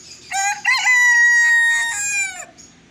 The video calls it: bantam hen Azan | murghy ki bang